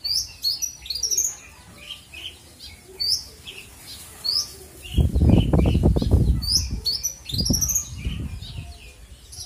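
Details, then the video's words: Caged Australasian bushlark singing a full isian song, kept as a training master: quick high chirps and slurred notes in bursts, broken midway by loud low thumping, likely wing-flapping. "kicau burung branjangan ||Branjangan full isian"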